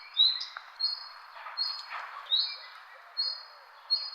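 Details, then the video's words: Bird chirps outdoors, brief high whistled notes recurring roughly every second with a few downslurred squeaks, against steady faint background noise. "Birds chirping sound"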